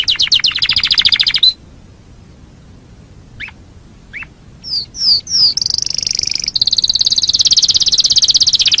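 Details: Canary singing for a master recording used to teach other birds: rapid high trill, silence, a few soft notes and whistled slurs, then a long dense buzzy trill.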